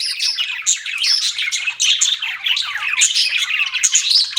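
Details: Pet budgies sing a bright chatter of quick high tweets, thin whistles and scratchy warbles, continuous throughout with regular louder chirps.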